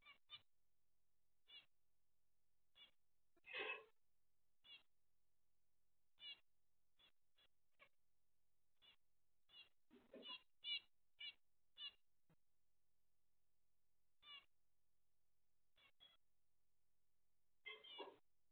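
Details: Zebra finch (Taeniopygia guttata), call.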